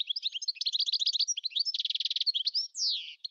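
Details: European goldfinch: a fast, continuous stream of high, tinkling and twittering notes, a stretch of rapid buzzy trills, then a clear descending nasal note near the end.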